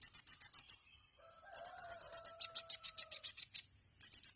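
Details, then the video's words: Olive-backed sunbird (kolibri ninja), a champion, singing 'tembakan' masteran song of fast sharp high chips in bursts; a rooster crows faintly in the background. "MASTERAN KONIN TEMBAKAN MEWAH | SUARA BURUNG KOLIBRI NINJA JUARA"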